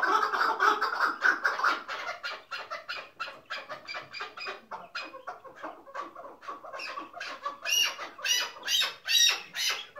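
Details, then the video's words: Caged chukar partridge of the hıngırmacı singing type, used as a decoy for hunting: a rapid run of harsh, clucking chuk notes, about two or three per second, swelling into louder, brighter phrases near the end. "PARTRIDGE SOUND"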